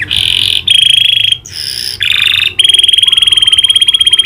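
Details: Canary trained on the clicking call of a prinia, pouring out sustained high buzzy trills and a fast pulsing rattle, broken by brief gaps.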